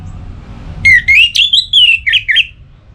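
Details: Orange-headed thrush in breeding condition calling a rival, North Bali. A varied, rapid run of loud clear whistles slides and wavers, ending in short upturned notes, about two seconds long, over a faint hum.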